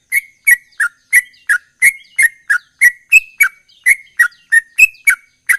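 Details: Sooty-headed bulbul in rapid, continuous singing style: a fast run of short, sharp chirped notes, roughly three every second, each with a bright clicking edge and a few slightly higher notes, on a silent background.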